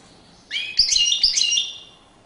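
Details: European goldfinch singing in courtship display: a single rapid, liquid twittering phrase of about one second, bright and high-pitched, with a few soft clicks underneath.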